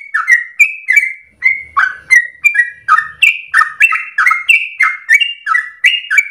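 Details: Yellow-vented Bulbul (trucukan) delivering a continuous energetic 'ropel' song meant as a lure for tutoring birds. Liquid chirping phrases repeat about three times a second, some notes rising higher, with a faint low rumble in the background.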